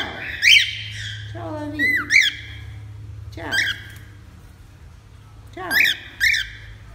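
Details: Cockatiel indoors giving bright, bent whistled squawks in scattered pairs, one lower wavering note early on, with quiet gaps between bursts and a steady low hum behind.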